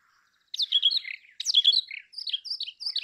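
A brown rock chat sings clear, warbled phrases of sweet whistles and chattering notes, with short bursts repeated about once a second in a quiet setting.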